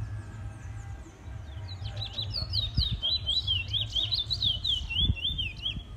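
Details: Caged Trinidad bullfinch, a male in its first black plumage, sings a rapid run of high zigzag whistled notes, each a quick up-down slur, repeated about four per second for several seconds over a low steady hum.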